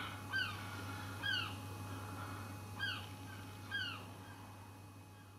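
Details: Close-up of a noisy seagull behind a house giving four separate, evenly spaced, nasal downslurred calls about a second apart, with a steady low hum underneath.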